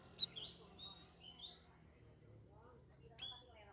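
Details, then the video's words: Straw-headed bulbul in its second week in a shared communal cage, already singing actively: a few bright, slurred whistles that rise and fall at a high pitch, set between two sharp clicks. "CUCAK RAWIS DARI OMBYOKAN MINGGU KEDUA SUDAH GACOR"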